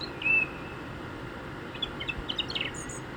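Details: A song thrush in Hampshire, England, in early spring gives a clear, high whistled note, then a quieter run of short, varied chirpy notes over a soft outdoor hiss.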